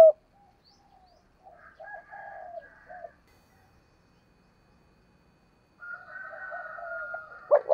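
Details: Caged decoy spotted dove cooing: soft, low, muffled notes mixed with higher wavering tones in two bursts separated by silence, with a sharp knock at the end.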